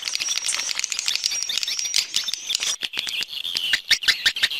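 Swiftlets chatter in a dense, high-pitched chorus of overlapping chirps and twitters, about three per second, with no other sounds.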